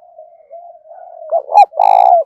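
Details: Spotted dove decoy calling to attract wild birds, starting with a long soft wavering hum that swells into a loud, rough, rolling coo with a sharp accent before it.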